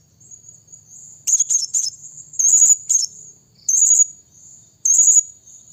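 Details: Piercing, high squeaky bursts from a blue-crowned hanging parrot, used as a lure for other birds, given in short groups about once a second against a constant shrill background tone.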